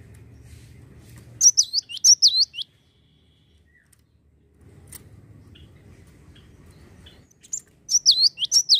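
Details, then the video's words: Java sparrow notes intended to stir other birds into singing: a run of sharp, high, curling chirps, a pause with low background rumble, then another run of chirps. "Pancing bunyi gelatik bahan agar rajin bunyi"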